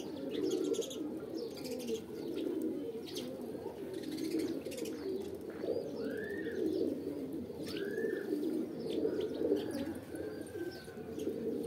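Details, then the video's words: Pigeons coo in a dense, low murmur while a few short rising-and-falling whistled chirps from another bird cut through twice near the middle. "Kabutar | Pigeon Videos | Kabootar Ki Video Episode-4 | Birds Sounds"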